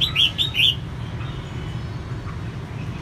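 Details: Female red-whiskered bulbul song meant to spur males: a fast burst of four sweet, slurred whistles in the first moment, then near silence with only a low steady hum.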